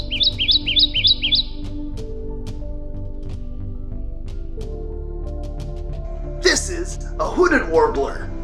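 Kentucky Warbler: five or six quick, rich two-note phrases rolled together in about a second and a half. Soft background music follows, then a man speaking.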